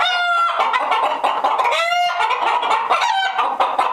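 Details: Hens disturbed inside their coop give a crowded din of overlapping clucks and loud, strained squawks, some notes sliding downward, with no pause in the flock's agitated calling.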